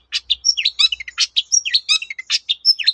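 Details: Long-tailed shrike in fast, varied song used to make other shrikes answer: a dense run of scratchy chirps, twitters and short whistled notes, almost without pause.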